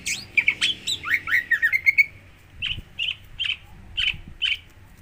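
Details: Greater green leafbird song used to make another bird sing: a fast jumble of chirps and slurred whistles, then after a short gap five evenly spaced whistled notes.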